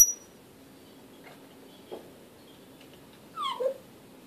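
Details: African grey parrot indoors with a thin high whistle, soft clicks, then a short descending whistled two-part phrase.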